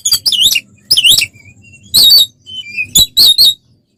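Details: Oriental magpie-robin singing to provoke other birds in fighting mode: looping harsh phrases, soft thin whistles, then a few loud rasping bursts.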